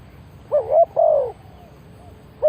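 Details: A decoy spotted dove gives a single soft cooing phrase: a quick wavering coo, then a longer, drawn-out, slightly falling coo. A new phrase begins at the end.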